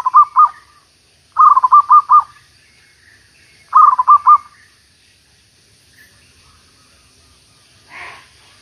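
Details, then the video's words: Zebra dove singing as a trapping decoy after a week of nonstop rain: bursts of rapid, bubbling staccato coos repeated every couple of seconds, with a soft rustle near the end. "MEMIKAT MERBUK / PERKUTUT"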